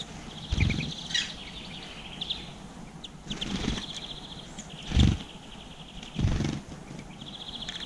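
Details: Seed-eating garden birds, listed as black-capped chickadee, blue tit and greenfinch, GoPro recording near 7 pm, April 2020; short chattering trills broken by loud thumping wing flaps as birds come and go.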